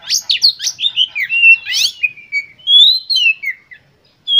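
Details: Oriental magpie-robin (kacer) singing full of emotion to provoke other birds: a quick series of rasping chattering notes, then clear whistles gliding downward and a final rising whistle.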